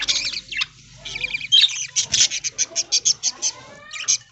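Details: Budgerigars in an aviary on a farm, early morning while feeding on corn in green leaves: rapid buzzy chattering bursts, then a run of about a dozen short evenly spaced clicks and chirps, with faint low background noise.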